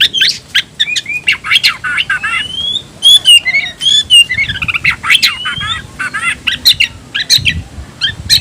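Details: Tayoraky-variety oriental magpie-robin (kacer), a cage bird, singing clear rising and falling whistles mixed with scratchy clicks and buzzes in quick varied phrases.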